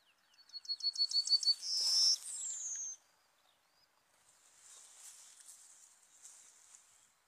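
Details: Lure recording of a Serin for trapping birds: a rapid run of high repeated notes leading into a loud buzzy trill and a falling whistle, followed by several seconds of soft hissing background noise.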